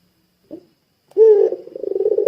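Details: Puter pelung dove, calling to draw other doves into calling: a faint short note, a pause, then a clear low coo that turns into a rapid pulsing hum.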